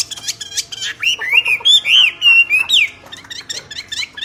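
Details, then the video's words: Loud singing from a common hill myna: short chips give way to a chain of clear, arching whistles, then softer scattered notes. "طائر المينا يغرد بقوة"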